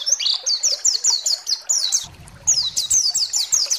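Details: White-eye (pleci) lure song to rouse other birds: regular high, down-slurred chirps in quick series, broken by a short pause and resumed, low hum in the gap.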